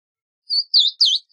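A Verdin gives three clear, high whistled notes in quick, even succession, the later ones slightly slurred, against a quiet background.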